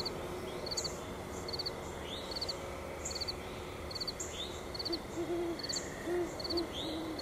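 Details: Great horned owls visiting Mt Nittany at sunset. Late in the recording a series of deep, mellow hoots comes in irregular spacing, set against repeated pulsing insect trills and a constant high insect drone.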